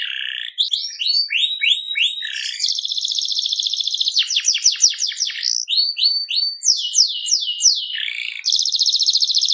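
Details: Canary of the FI series in full song: quick upswept notes in repeated groups, buzzy rolling trills, and fast descending sweeps, delivered continuously and loudly with no other sounds.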